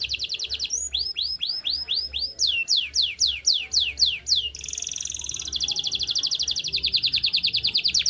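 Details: Canary singing in the morning: loud rapid trills of repeated high whistled notes, first sweeping up-slurred syllables at about two per second, then a fast buzzy rolling trill, with a low background hum.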